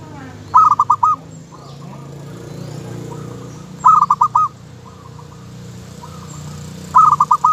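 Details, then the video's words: Local zebra dove singing: bursts of four or five quick, clipped cooing notes, the first note strongest, repeated about every three seconds, with softer single coos between bursts over a steady low background hum. "suara kutut lokal"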